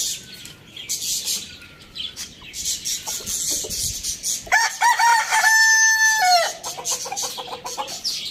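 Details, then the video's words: A rooster crows in the morning after a stretch of thin bird chirps: one long crow with a brief rising start, a held steady middle and a falling end, followed by quick repeated clucking notes. "Rooster crowing sound in the morning"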